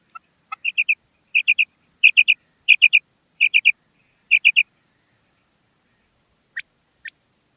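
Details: Calling female common quail: two lower introductory notes, then six rapid triplets of crisp, high notes spaced under a second apart, ending with two faint isolated notes after a pause; quiet surroundings.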